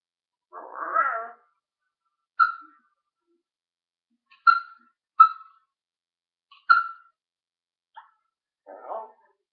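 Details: Talking parrot recorded on 1 June 2013 gives a scratchy, voice-like burst, then four short bright chirps spaced one to two seconds apart, closing with another rough, speech-like mutter.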